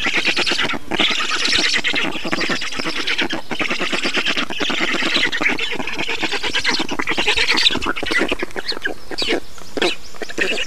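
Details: Black storks at a nest in Estonia during feeding, 5 June 2019 at 10:54: loud, dense, rapid pulsed rasping calls run continuously through the whole stretch, harsh and hissing, with short brief pauses.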